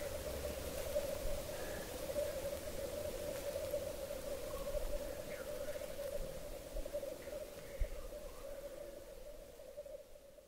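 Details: Black grouse males lekking at 3:30 am about one kilometre away, heard from the edge of a bog near forest in Hedmark, Norway; a continuous low bubbling chorus runs steadily throughout, with faint scattered higher notes above it.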